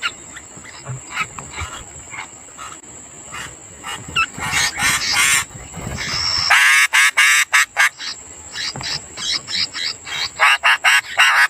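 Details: {'caption': 'Sooty-headed bulbul young begging as a parent feeds them: harsh, raspy, broadband bursts that grow louder and faster toward the end, about two per second, over a steady high-pitched whine.'}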